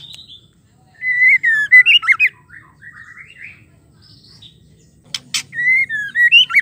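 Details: After a quiet opening, a female white-rumped shama, whose call goads males into song, gives slurred whistles and warbles, then a sharp double buzz and another whistled phrase.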